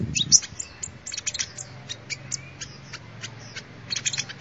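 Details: Sunbird song offered as a lure recording: thin, very high chirps and short sweeping notes in quick irregular bursts over a quiet low hum.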